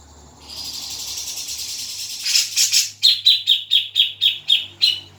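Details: Grey-cheeked bulbul recording used as a lure to get a caged bird singing: a hissy, buzzy stretch gives way to harsh chattering bursts, then a run of about eight sharp, evenly spaced notes, roughly two a second.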